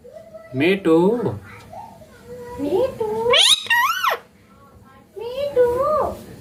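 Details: Green Indian ringneck parakeet talking indoors: several short, voice-like phrases with strong harmonics that slide up and down in pitch, one high rising-falling squeal near the middle, separated by brief pauses over a low background hum.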